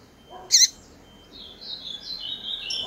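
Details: Female double-collared seedeater calling to excite males: one loud, sharp, high chip, with faint thin whistled phrases from other birds continuing behind it.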